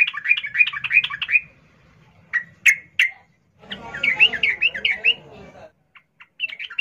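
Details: Female sooty-headed bulbul calling to a male while in breeding condition: bubbly, gurgling phrases of quick warbled notes, a few sharp single chips between them, and a low rumble of background noise midway.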